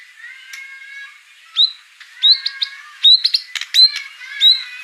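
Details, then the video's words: White-rumped shama with mimicked fill-in phrases, short sharp whistled notes and clicks spaced irregularly over a soft, steady background warble. "murai batu ful isian"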